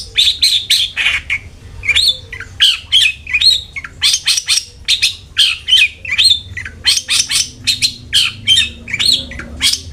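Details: Long-tailed shrike lure song meant to make a kept bird sing diligently: busy series of short scratchy chattering notes with quick rising and falling inflections, tightly packed, over steady low background hum.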